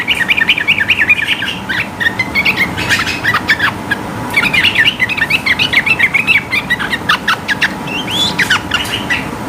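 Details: Sooty-headed bulbul, sung high to provoke rivals into singing: rapid bubbling phrases of short warbled notes, steady through the clip, with a constant low hum beneath.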